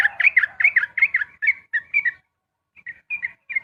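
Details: Rapid 'ropel' dawn song of a sooty-headed bulbul: a fast string of bright, bouncing slurred chirps that slows and stops, then resumes with a few spaced notes.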